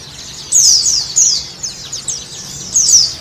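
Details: White-eye (pleci) lure song for a caged bird: a cluster of thin, high, descending twitters, a pause, then a final sharp chirp burst, against quiet background noise.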